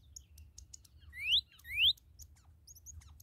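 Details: Newly captured red cardinal giving two clear, upward-slurred whistled notes about half a second apart, amid scattered high, thin chirps from other birds and a low steady rumble.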